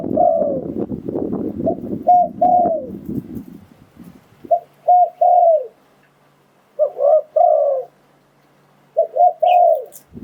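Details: Spotted dove call played as a lure for wild doves: loud rustling and handling noise at first, then three separate bursts of soft, rounded coos with short pauses between them.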